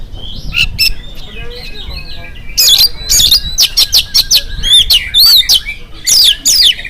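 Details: Oriental magpie-robin singing in the morning to prompt other magpie-robins to answer. Loud bursts of harsh, buzzy notes mixed with sharp rising and falling whistles, delivered in rapid phrases after a quieter opening with softer warbling.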